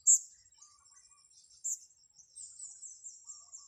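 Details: Blue-crowned hanging parrot, lured onto grass: two piercing high squeaks about one and a half seconds apart, followed by a softer run of thin, high twittering notes.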